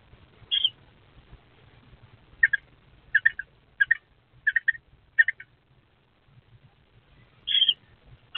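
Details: Two eastern screech-owl owlets in an owl box, 23 April 2024, give short, raspy, scratchy notes, some doubled or tripled, at uneven intervals over a faint low rumble.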